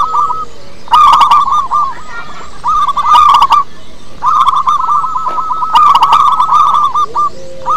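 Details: Local zebra dove with a powerful voice in lure song: repeated bursts of quick, evenly pitched staccato coos separated by short silences, with sharp clicks within several bursts.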